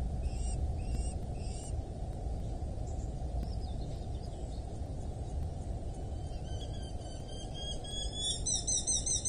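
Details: Eurasian hobby at a wild nest in rural Dorset, England, filmed by a nest camera on 8 July 2024 at 07:55: thin, high, rapidly repeated rising notes build toward the end over a strong low rumble of wind or background noise.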